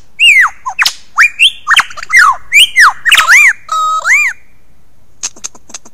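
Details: Male lyrebird's early morning performance, 15 July 2018, at Ben Ricketts Environmental Preserve, Australia: a loud, fast run of ringing whistles, swooping downslurs and harsh squawks, then a few dry clicks near the end.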